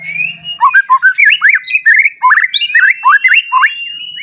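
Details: White-rumped shama, freshly moulted, in energetic full song to trigger rival shamas: fluty looping whistles and chattery phrases over a thin sustained whistle, delivered in quick varied bursts.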